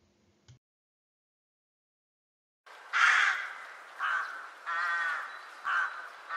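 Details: A rook, a sociable, vocal Central European corvid, gives a series of harsh, grating caws, about five in under four seconds, each rasping and slightly drawn out, after a brief knock and silence.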